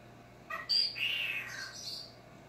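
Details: Talking male cockatiel kept as a pet, seeing himself on screen for the first time indoors: a short scratchy squawk followed by a bright, drawn-out tonal chirp that slides downward and fades, over quiet room hum.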